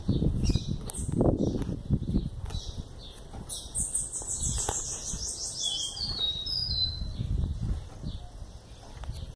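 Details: Song of an 11-month-old young bananaquit: after early thumps and flapping-like noise, a high, sweet, rapidly trilled phrase rises and tumbles mid-clip before low background noise returns.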